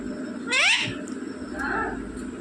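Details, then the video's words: Rose-ringed parakeet talking, mimicking human words such as mummy and papa: a single strong harmonic phrase with downward-curving bands around the half-second mark, followed by a softer, lower syllable. "बोलने वाला तोता मम्मी पापा बोलने वाला तोता"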